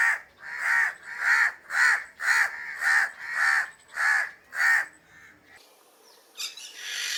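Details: A crow gives a rhythmic string of loud, hoarse caws, roughly two per second. The series stops near the end, and a different high, scratchy sound follows.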